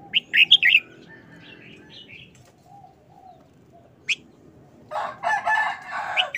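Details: Caged red-whiskered bulbul opening with a rapid string of bubbling whistled notes and softer twitters, then a rooster crows loudly and raspily.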